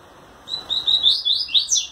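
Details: Double-collared seedeater male displaying to a female with quivering wings: a short burst of roughly seven clear, high notes, starting with steady whistles and finishing in lower, buzzier slurs.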